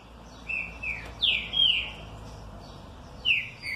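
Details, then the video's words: Well-kept green-winged saltator (trinca-ferro) singing and responding happily: loud, clear whistled phrases, each a slurred note falling in pitch, three main phrases spaced about one to two seconds apart over quiet background. "TRINCA FERRO MANDRAKE BEM TRATADO RESPONDE COM ALEGRIA"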